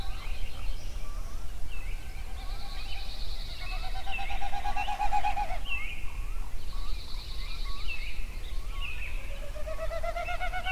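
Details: A dense sunrise chorus of songbirds at Yellowstone: two long high buzzy trills, many quick rising whistles and a low pulsed trill, ending with a rising trill, all over a deep background rumble.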